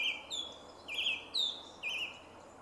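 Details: Early-March song thrush near Jarun in Zagreb, Croatia, recorded 2 March 2016, delivering a slightly warbled whistled phrase three times, each followed by a higher clear note, spaced nearly a second apart.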